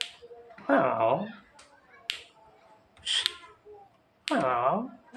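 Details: Javan myna mimicking a human cough with two rough, throaty bursts carrying dense falling harmonics. A brief noisy hiss sits between them, and faint clicks are scattered through a quiet indoor background.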